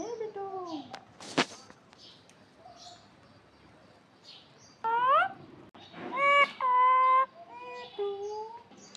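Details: Parakeet, said to be talking, giving short falling notes, a sharp click, then a burst of rising harmonic squawks followed by several flat, level tonal notes held about half a second each, over faint background hum.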